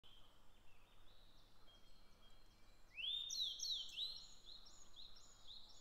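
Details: Grey bunting in Japan: after faint high notes, a clear whistled phrase of rising and falling slurred notes begins about midway, followed by softer high trailing notes, with low background hum.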